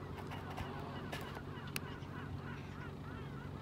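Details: American flamingo (Phoenicopterus ruber) flock at Marano Lagunare, Italy, 4 April 2024, keeping up a steady babble of nasal, goose-like honks and gabbling calls, many voices overlapping, over a low background rumble.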